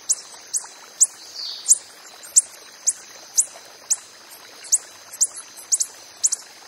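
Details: High, clipped ticks from a coppery-headed emerald in the wild, spaced unevenly about every half second, with one brief doubled note near the end.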